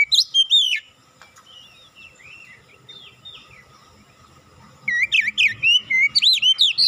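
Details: Oriental magpie-robin song blended with cinereous tit song for training captive birds. A short whistled burst, then soft, scratchy warbling, then a long fast run of about twelve bright, swooping whistles.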